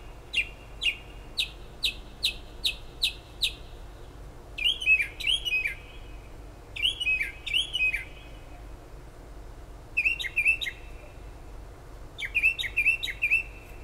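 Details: Late-night bird outside a kitchen window in Toms River, New Jersey: a run of eight crisp, evenly spaced notes, followed by several groups of two or three bouncy, downslurred whistles separated by short pauses; constant low hum.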